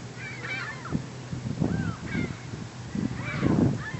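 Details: A flock of hundreds of herring gulls at a neighbourhood lake calling over one another with harsh, wailing cries that rise and fall, against a low rumble of wind or water.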